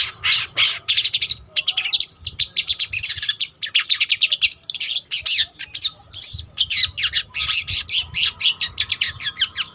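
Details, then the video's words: Long-tailed shrike of the trotol type, singing actively, a recording offered as a lure or master song for training other birds: a dense, fast run of varied chattering, scratchy and whistled notes, with brief pauses, over a faint low hum. "Burung Cendet Trotol Gacor Untuk Pancingan atau Masteran Juga Bisa"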